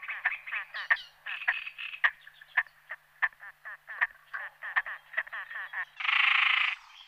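Great crested grebe giving a fast series of harsh, nasal, rattling notes, several per second, ending in one loud, grating, drawn-out call.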